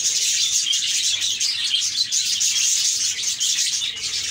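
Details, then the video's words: Budgerigars chirping, presented as cheerful sounds from happy budgies: a steady, dense wash of overlapping high chattering and twittering from many birds, with no clear gaps. "Budgies Chirping"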